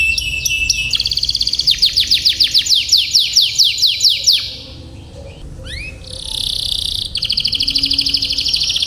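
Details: Tutor canary song for training young birds and prompting long rolling song: rapid high trills, a long steady series of repeated pulsed notes, then rising whistles and buzzy rolled phrases, over faint low background noise.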